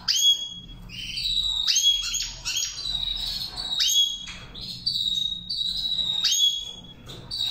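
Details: Goldfinch singing a Saira-style training song, a lively continuous stream of chirps, sharp downslurred whistles and buzzy trills repeating in waves; faint low hum underneath.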